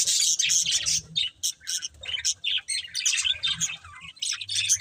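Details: Two budgerigars, a breeding pair, trading rapid choppy chirps and squeaky notes about three per second, uneven rhythm, soft low hum in the background.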